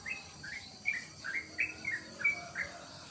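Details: Sooty-headed bulbul, locally trotokan or trucukan, kept at home, uttering soft, quick, rising and falling chirped notes about three per second, fairly quiet against a constant high buzzing hiss.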